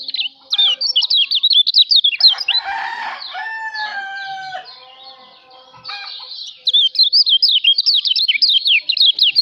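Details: Kecial lombok, a Lombok white-eye, recorded as master song for songbird training; quick high zigzag twitters sound at the start and again at the end, with a rooster crowing in the middle.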